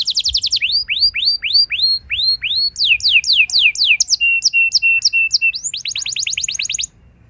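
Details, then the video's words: Canary singing in captivity, a long rolling song used to prompt other canaries: series of high sweeping whistled notes falling in pitch, then rapid trills and steady buzzy notes, phrases changing every second or so. "Seketika Burung Kenari Lain Ikut Gacor Ngeroll Panjang! Pancingan Ampuh Kenari Paud"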